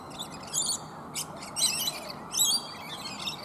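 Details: Rainbow lorikeets feed on bottlebrush flowers high in a tree, one other bird nearby. Piercing, buzzy chatter rises in three or four quick bursts over a few seconds, over a faint steady hum.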